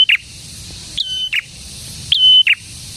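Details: Prenjak merah, a prinia, in full song: a short note, then two phrases, each a flat sustained whistle with a crisp downslurred ending, roughly a second apart.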